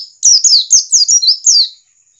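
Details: Short burst of wild white-eye song, meant to get birds singing: six quick, bright, downslurred whistles tumbling in succession, then fading to near silence.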